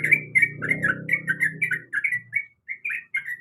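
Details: Female yellow-vented bulbul calling the male, played as a lure: quick bubbling chirps repeated about three per second, over a low humming background noise in the first two seconds, then a brief pause and a few more notes.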